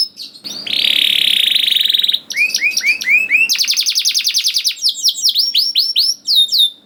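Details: Canary song meant to prompt young canaries to sing: a dense buzzy trill held steady, then clear upslurred whistles, then fast rolling trills and descending chirps.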